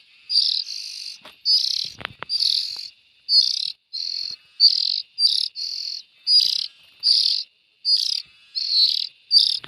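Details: Young bulbul birds keep up a rapid series of grating, hissing calls of varying length, with a sharp click partway through.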